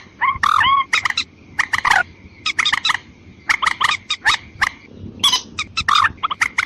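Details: White-breasted waterhen call played as a lure to attract females and males. It is a continuous run of harsh, clipped, squawking notes, some with a rising-falling twang, repeated rapidly for several seconds over a faint constant high hum.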